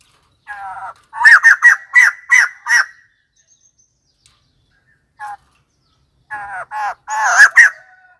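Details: White-crested laughingthrush giving clusters of loud, rasping laughing notes, a silent stretch with one short note, then another harsh, excited burst.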